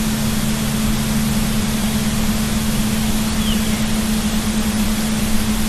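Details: Loud steady outdoor rush with a constant low hum throughout, and no animal calls audible.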